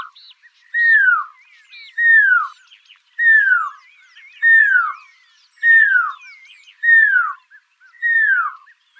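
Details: Pearl-spotted owlet repeating drawn-out whistles that slide downward, about one every second and a quarter, while other birds call with thin twitters and rising notes in the background.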